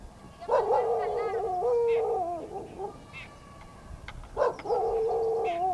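Jungle Babbler giving two long, nasal, wavering squeals, each about two seconds, separated by a brief quieter pause. No other clear sounds.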